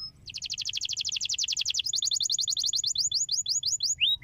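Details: Canary song meant to stimulate other canaries to sing: a long fast trill of rapid buzzy notes, then slower repeated descending whistled sweeps.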